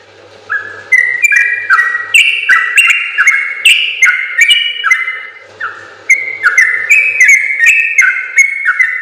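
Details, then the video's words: Long ropel-style song of a sooty-headed bulbul (trucukan), made as a training recording for other birds. Fluty whistled notes tumble in fast stepped runs, with a short lull before another burst. "suara burung trucukan gacor ropel panjang terbaik"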